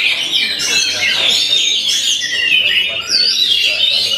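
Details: Kacer, or Oriental magpie-robin, delivering a rapid, rich run of sweet whistled notes mixed with scratchy chatter, fairly steady in loudness, one brief dip near the end, with low voice-like sounds in the background.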